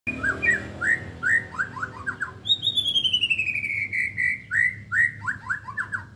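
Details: Nine-month-old white-rumped shama with a full, coarse, loud repertoire singing rich varied whistled phrases: quick slurred notes, a long bright series falling gradually in pitch, then more rapid whistles.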